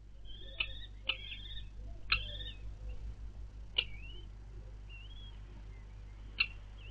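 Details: Four newly hatched common kestrel chicks begging as their mother feeds them at the nest on 4 May 2022: thin, high wavering squeaks and short rising whistles, with sharp clicks or taps and a steady low hum underneath.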